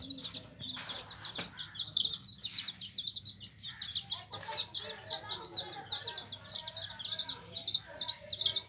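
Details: A brood of yellow chicks: clipped, high-pitched cheeps pour out in a rapid, irregular run, with soft scattered knocks and a faint low murmur in the background.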